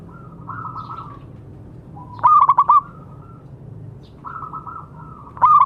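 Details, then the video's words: Active local zebra dove song recorded as a master to restart doves that stopped singing: two bursts of quick, clipped cooing pulses about three seconds apart, separated by fainter warbling coos in the background. "Perkutut lokal gacor suara bagus untuk terapi yang macet bunyi."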